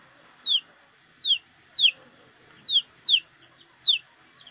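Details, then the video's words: Domestic chicks foraging with their mother hen: six high, sharp peeps, each sliding downward, repeated at roughly two-thirds of a second in a quiet background. "SUARA ANAK AYAM DAN INDUKNYA SEDANG MENCARI MAKAN | The sound of a chick and its mother"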